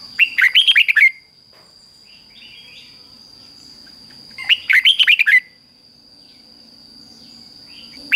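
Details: Doubled 'bernle' song of a Red-whiskered bulbul, fik-jik-fok phrasing, meant for young birds to learn. Two quick runs of six or seven lilting, up-and-down whistled notes, separated by a pause of about three seconds, with a constant thin high tone behind.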